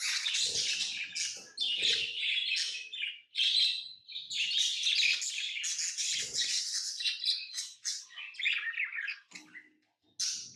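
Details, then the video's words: Tamed lovebirds chirp almost without stopping, a dense run of sharp, high twittering notes and squeaky squawks, with occasional low thumps. "Love birds Sounds | lovebirds chirping sounds| parrot beautiful sounds"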